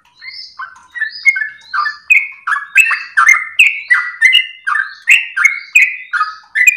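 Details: Sooty-headed bulbul in full, long-breathed ropel song for use as a master and lure recording: opens with softer thin whistles, then builds into louder chirpy slurred notes repeated steadily, with clean background.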